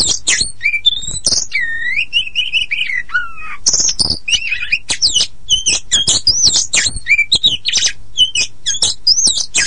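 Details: Oriental magpie-robin of poci type singing a lure song for stalled or untrained birds: smooth whistled phrases with a slow falling slur, then a busy, loud stream of rapid chips and twisting notes.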